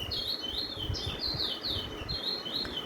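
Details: Lesser Seed Finch singing a Venezuelan-type roll, apparently the 'teacher' roll, heard in Trinidad: a rolling phrase of high, clear whistled notes that slur up and down, several per second, over a low background rumble.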